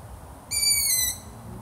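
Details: Long-eared owl giving a single high, thin, whistled squeak. The note holds level and sags slightly at the end, lasting just over half a second, against faint low background rumble.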